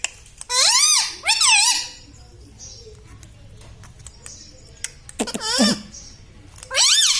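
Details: Talking parrot voicing harsh, strained, speech-like phrases in two bursts. A quiet stretch with faint clicks follows, then two more loud, wavering squawks.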